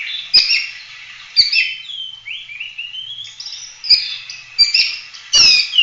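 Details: Oriental magpie-robin song in the gacor full-roll tembak style for masteran: short bright whistled phrases broken by sharp clicks, a long rising buzzy slur mid-way, then dense chattering bursts toward the end.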